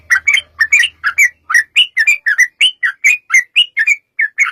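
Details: Lure song of a yellow-vented bulbul, meant to make other bulbuls sing back: a brisk, jumbled series of liquid, slurred chirps, several each second, with a faint low hum at the start.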